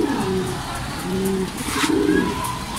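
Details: Low, rolling pigeon coos repeat roughly every second from racing pigeons returning from training out of Gapan, Nueva Ecija, as rain falls with a constant broad hiss and a few faint higher chirps.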